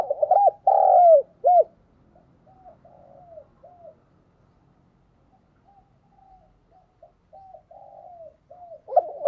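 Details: Decoy Spotted dove giving an urging coo to attract wild birds: one loud phrase of low arched notes and a long purring coo, followed by a long series of much fainter, softer coos, likely more distant, ending with another louder note.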